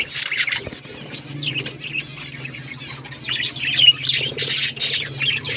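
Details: Pet budgies chirping in bursts of buzzy warbled chatter, softer in the middle then swelling again, over a faint low hum.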